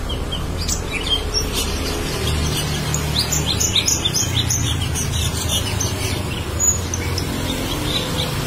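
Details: A black-winged starling in full, lively song, loud and melodious: dense, fast bursts of bright chirps and squeaky high notes, some falling, continue throughout, with a constant low hum of background traffic.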